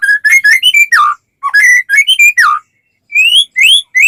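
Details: White-rumped shama in full song, played to get other shamas singing quickly: loud, rich whistled phrases, some steady, some sliding down, in bursts of rapid notes broken by short pauses, with clean high overtones.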